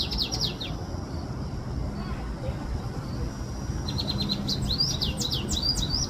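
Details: A small canary sings from a dry branch at the top of a tree, far and high away: two bursts of quick, high chirps and rapid sweeping trills with a thin, steady whistle, over low background rumble.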